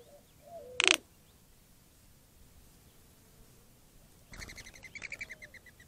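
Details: Wild greater roadrunner at an upper water hole in Tucson, Arizona, making a bill rattle as a warning before chasing a dove: a sharp click, then a fast train of dry pulses about ten per second, outdoors with steady background hiss.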